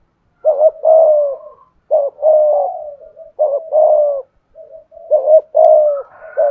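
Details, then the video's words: Spotted dove kept as a decoy bird, calling in the Vietnamese 'giọng thổ' voice style: mellow, low coos in grouped phrases of two or three short notes followed by a longer drawn-out coo, repeated with brief pauses. "Chim Cu Mồi/ cu gay giong tho cuc dinh"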